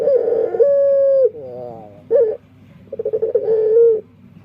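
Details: Dove with a strange voice: a warbled coo, a long flat hoot, a fading vibrating trill, a short note, then rolling coos ending in a held tone.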